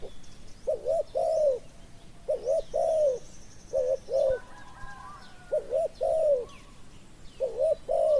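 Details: Spotted dove calls while a caged decoy lures a wild dove that came slowly; roughly five repeated phrases of two quick coos and a longer croon, soft background bird twitters.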